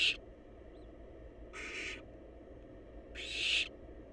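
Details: Hungry wild barn owl nestlings snuggled together in a nest box await food, giving rasping hissed screeches; three bursts arrive roughly every one and a half seconds, the last loudest, with faint hum beneath.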